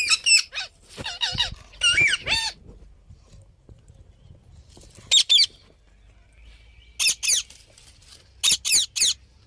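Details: Parrot calling: a rapid run of rasping squawks with a rising-then-falling tonal note at the start, then paired harsh squawks after a pause, with a faint steady tone in between.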